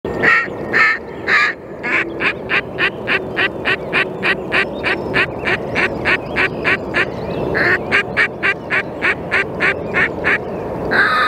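Red-necked grebe giving a long, rapid series of harsh, nasal, braying notes, several per second, with drawn-out wails at the start and near the end over a steady background rumble.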